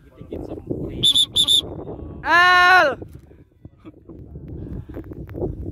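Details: Military macaw teasing and chasing another pet at home: two short high whistled notes, then a loud, harsh, drawn-out squawk lasting about half a second, with people chatting in Indonesian close by.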